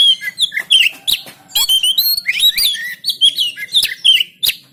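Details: Oriental magpie-robin recorded by phone in Banten as masteran to stir quiet birds into song: dense energetic warbling of mixed whistles, chirps and rapid trills, continuous with short gaps.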